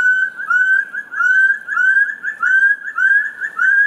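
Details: Rufous-throated partridge calling: a steady run of clear, rising whistled notes near one pitch, about two per second, climbing slightly in loudness, with faint overtones and a quiet background.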